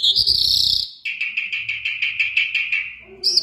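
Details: Mashadi-type lark from Iran, called jal, giving a high buzzy note, then a steady series of clipped chirps repeated about every quarter second, ending on another high burst.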